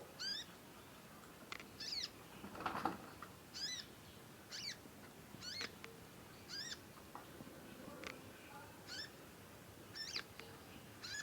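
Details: Young conin songbird in long chattering bouts while learning sounds. Thin down-slurred chirps repeat at uneven intervals of one to two seconds. Brief rustling knocks come midway, over low background noise.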